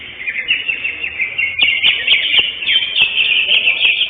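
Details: Session 5 champion greater green leafbird at a singing competition, 11 October 2025: busy high chattering warble that grows louder after a short pause and keeps going in quick, sharp, slurred phrases.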